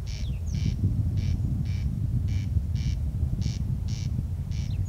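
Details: A corn crake calls at night, about 01:35, on 14 June 2021 in Kiili parish: its dry, rasping double crex-crex, repeated about every second, over a steady low rumble.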